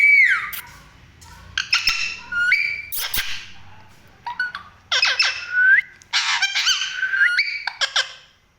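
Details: Parrots making dinner sounds: loud squawks mixed with rising and falling whistled notes, harsh bursts and short clipped calls in irregular clusters, several birds calling close together.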